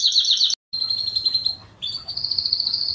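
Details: Canary master song for training young canaries: short bursts of high buzzy trills broken by brief gaps, ending in a steady sustained trill.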